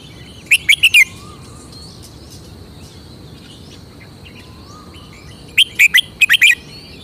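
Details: Two short, lively phrases from a caged red-whiskered bulbul, each a fast string of four or five clear, bubbling whistles, separated by about four seconds of low background hiss and faint distant chirps.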